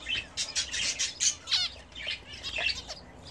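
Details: Home-bred pet budgerigars during a bath give a quick run of sharp, squawky high chirps and short warbled notes, several per second with brief gaps, plus a few downward-sliding calls.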